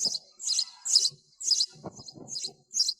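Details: Irregular bursts of high sparrow chirps, about seven, some doubled and some fainter, mixed with low rustling thuds, in a noise-reduced recording.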